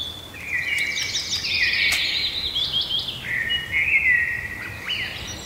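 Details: Springtime birdsong in a birch wood on Ruissalo Island near Turku, southwestern Finland: a bright, high warbling phrase with trills and twittering notes running continuously, over a soft low background hum.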